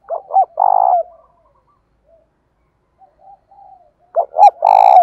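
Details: Spotted dove calling to challenge a rival, in the thổ voice style: a loud low cooing phrase of short notes and a long rolling coo opens, soft murmured coos follow, and a second loud phrase closes.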